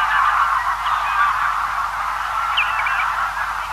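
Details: Large feeding flock of greylag geese heard at a distance: a dense, continuous babble of overlapping mid-pitched calls, with a few brief higher twittering notes from small birds breaking through.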